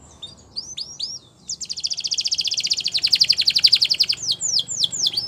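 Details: Singing canary, meant for training young canaries: a few upswept chirps, then a long fast pulsed trill of about thirty notes, ending in sharp downward-hooked notes, over faint background noise.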